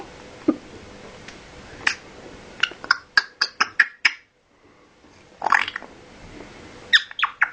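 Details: Captive parrot making piggy noises: a run of short, clipped grunts and snorts, about five in quick succession, a brief pause, then another cluster of harsh oinking bursts indoors.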